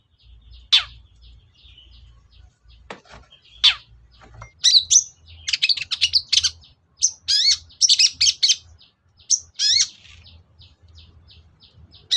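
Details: Long-tailed shrike lure song used to make silent shrikes sing: scattered sharp chips, then a long, dense run of rapid squeaky, scratchy and warbled notes mixing varied phrases.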